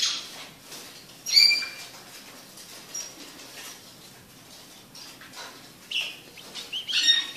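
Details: Young red siskin chick singing excitedly, likely caged: scattered short, thin, high chirps and twittering bursts, with one clear whistled note early on and a few more bright phrases toward the end over a quiet, faintly hissy background.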